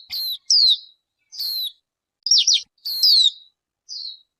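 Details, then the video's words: A bird gives six short, high, downslurred chirps spaced by brief pauses, some with a sharp upper note, in a quiet setting with no other sounds. "Suab noog ncwb qua dib tuaj zoo tiag tiag."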